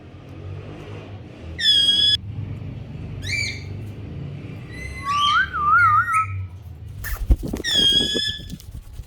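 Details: Pet parrot known for talking: scattered nasal harmonic calls and short chirps with a wavering whistled phrase, a sharp click, and steady low room noise.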